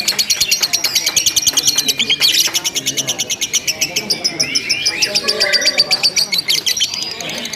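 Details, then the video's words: Lovebird chattering ngekek without a break in a contest simulation, a dense, shrill trill of quick pulses with brief squeaky slurred notes mixed in, and low human voices in the background. "SUMULASI LOMBA LOVE BIRD TERBARU 2025 NGEKEK TANPA JEDA DURASI PANJANG"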